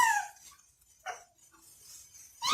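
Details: Talking rose-ringed parakeet (Indian ringneck parrot): a harsh descending harmonic squawk opens, then two brief rough bursts, and a loud rising screech returns at the very end; no other sounds intrude.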